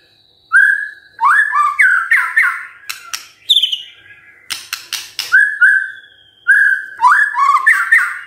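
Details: Morning song of a white-rumped shama, played to make quiet birds respond: rich rising whistles and slurred phrases mixed with sharp clicking notes, delivered in rapid bursts with short pauses between phrases.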